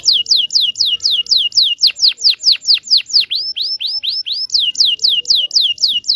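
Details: Canary singing a long rolling song used to prompt young canaries learning to sing; loud, high whistled notes sweeping downward, repeated rapidly about twice a second in a steady run, a few notes turning to rising upslurs midway.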